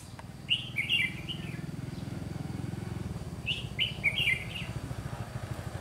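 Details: Red-whiskered bulbul used as a decoy bird for trapping in Vietnam, recorded 30 June 2020: two short bursts of bright, chattering warbled phrases about three seconds apart, over a steady low engine hum.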